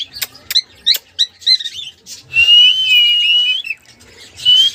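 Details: Cockatiel answering sounds starts with a few sharp clicks and quick rising chirps, then draws out a long steady whistle with light wavers, ending with a brief whistled note after a pause.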